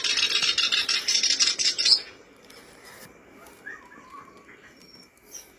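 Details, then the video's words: A black-browed reed warbler, used as a lure recording to make others sing quickly, gives a fast, harsh, chattering high-pitched song for two seconds, then a quieter stretch with a faint steady hum and a few scattered notes. "Pancingan kerbas alis hitam/sincan agar cepat bunyi"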